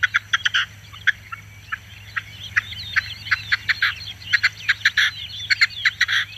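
A Red-legged Partridge gives harsh, chuffing, rhythmic notes in uneven bursts of two or three, over a steady low hum.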